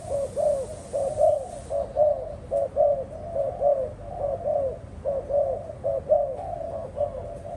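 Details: Spotted doves in captivity cooing steadily, with low, throaty notes pulsing roughly every half second in overlapping groups across the whole stretch.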